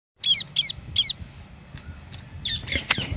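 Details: Parrot giving harsh, grating, high squawks: three evenly spaced short calls at the start, a few faint notes in the middle, then a louder cluster of three rasping squawks near the end.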